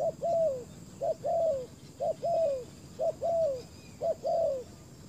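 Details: Decoy spotted dove on a ground trapping site, luring aggressive wild doves. A steady run of five two-part coos: a brief note, then a drawn-out note that slides downward, repeated roughly every second.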